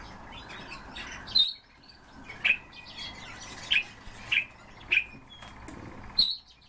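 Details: Common starling, a kept bird, uttering sparse sharp chirps and squeaky notes at uneven intervals of roughly half a second to a second, with a couple of high thin whistles and a quiet background hiss.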